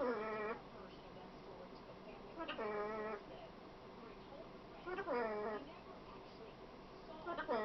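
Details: Female pet macaw talking: three loud, harmonic speech-like phrases, each about half a second long, spaced roughly two and a half seconds apart, with a quiet indoor background between them.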